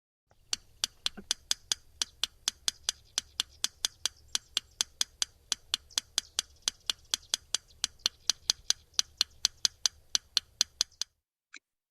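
Yellow Rail: sharp, dry clicks like two stones tapped together, grouped in twos and threes and repeated steadily for about ten seconds. Faint low hum beneath.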